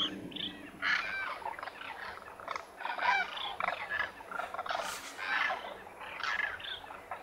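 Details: Demoiselle cranes (Koonj) at a lake in Khichan, Thar Desert, Rajasthan, India, in winter; scattered rolling, trumpeting calls from several birds, more spaced out, with short gaps between bursts.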